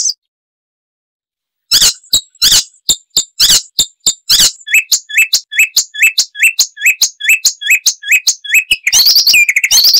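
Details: Loud, varied song of an Icterine warbler, a mimic of other wild birds. It begins after a short silence with sharp high clicks, then runs into a series of quick hooked whistles, and ends in a dense buzzy flourish.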